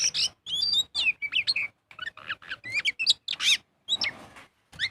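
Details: Magpie-robin singing in full voice, used as a lure to get other birds singing: fast varied phrases of whistled, sweeping and chattering notes, high-pitched and broken by short pauses.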